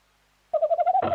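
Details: Tawny owl calling on 11-01-2026, giving a rapid quavering hoot: about six quick pulsed notes on one pitch, followed by a rougher, louder burst.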